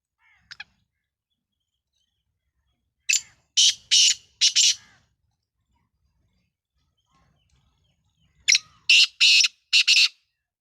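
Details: Black francolin, Sindhi lal potiya type, two loud phrases each of about four harsh, buzzy, grating notes in quick succession, separated by several seconds of quiet.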